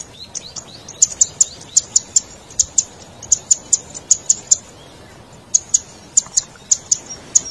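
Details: Lure recording of a Zitting cisticola for trapping wild birds: crisp, very high tick notes repeated in fast irregular runs, a brief pause midway, then more ticking.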